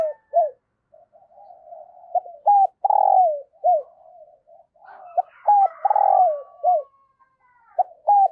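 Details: Decoy spotted dove performing thúc and gáy coos to attract fresh wild doves. Three repeated phrases of short notes, a long rolling coo and a falling tail are heard. Quiet murmured coos fill the gaps, with a faint higher whistle midway.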